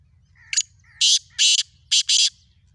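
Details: Black francolin calling in the morning on 3 April 2024: harsh, grating bursts in a short-then-long rhythm, a brief note followed by two pairs of loud rasping blasts, over a low steady hum.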